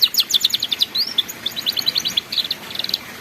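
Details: Canary tutor song played for young canaries learning to sing the 'ngeriwik' style: rapid repeated high chirping notes in quick trilled bursts, over a steady background hiss.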